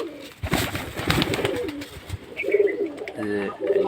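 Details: Pigeons kept indoors in a small room, a courting pair, give low cooing calls: a few soft rolling coos after an opening burst of handling noise and a voice, ending in two short bubbling coos.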